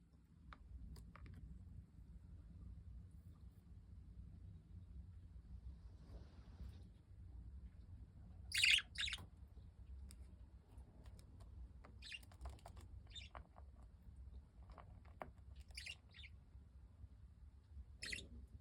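A budgerigar gives a few short, scratchy chirps over a steady low indoor hum.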